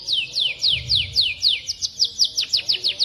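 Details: From a cucak jenggot, cililin and canary masteran: a sequence of clear, high whistles, each sliding steeply downward, spaced about quarter-second apart and speeding up into shorter chips near the end.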